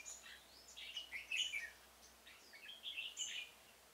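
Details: Red-whiskered bulbul used as a decoy to lure wild birds into a single-cage trap in a pomelo garden on 25 October 2017, giving quick warbled, chattering phrases with bright upper notes, separated by short pauses.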